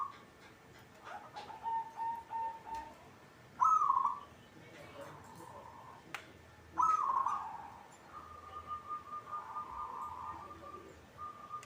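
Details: Caged local zebra dove (perkutut) in frequent song: a series of trilled, slightly descending coo phrases, some long and steady, others short and bright, spread over the recording with soft background noise.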